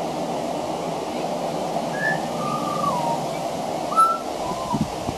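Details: Song of a pied butcherbird on a veranda, mixed with mimicry of other Australian birds: a short sequence of pure whistles, one gliding downward, then a sharp higher note and a softer falling whistle, over constant background noise.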